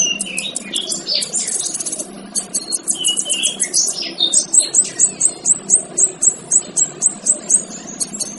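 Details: Male kinoy training song for other birds: a jumbled burst of high chirps and slurred whistles, then a steady series of short, sharp downslurred notes repeated about twice a second.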